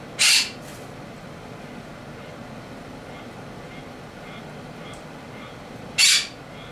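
A pet monk parakeet gives two harsh, grating squawks several seconds apart over a quiet room.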